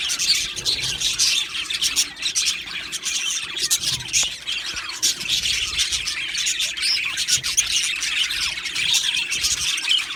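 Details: Budgerigars, an aviary colony of Australian parrots, in a dense continuous chatter of high warbling chirps and squeaky notes layered over one another throughout, with no pauses.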